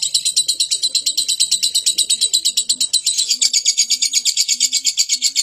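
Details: Chattering lovebird pouring out a long, shrill, fast-pulsed ngekek trill, with faint low coos from a second bird in the background.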